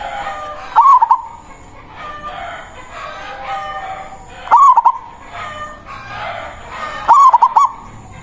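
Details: Local zebra dove giving its manggung cooing call to summon a rival, used for luring: short loud bursts of quick, wavering staccato coos recurring about every three seconds over busy background murmur of other sounds.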